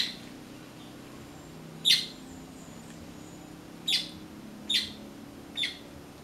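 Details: Blackbird foraging for fruit, turning to passion fruit when no ripe persimmons were found; four sharp, high chips spaced irregularly over about four seconds against a quiet background with low hum.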